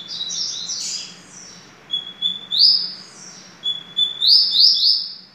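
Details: Double-collared seedeater singing: a thin, steady high whistle that breaks into a bright buzzy rising trill, heard twice, after softer high chirps at the start.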